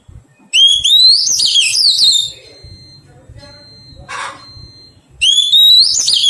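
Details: A wild-caught Oriental magpie-robin under taming sings two loud phrases, each a rising whistle running into tumbling warbles. Between them a steady thin high tone sounds, along with a brief harsh rasp.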